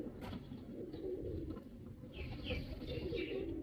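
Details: Male pigeon in performance, with low, rhythmic cooing pulses repeating rapidly, while higher chirping notes join in during the second half over a steady background hum.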